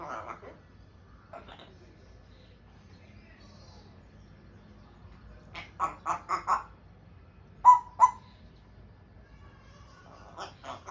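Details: Pet African grey parrot trying to speak and making sounds: short nasal, harmonic bursts, a run of four quick calls near the middle, then two sharper loud notes and a final pair of brief calls, with quiet low room hum between.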